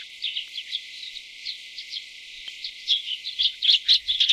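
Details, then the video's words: Tree swallow around the nest during chick feeding: soft, sparse high chirps that become louder and busier in the last second and a half, with sharp twittered notes. "雙色樹燕-育雛/Tree Swallow-Feeding chicks"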